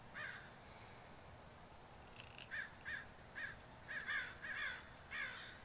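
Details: A flock of more than twenty crows on a rooftop: after a quiet start, a run of seven or eight hoarse caws comes in quick succession, some doubled, with faint low rumble beneath.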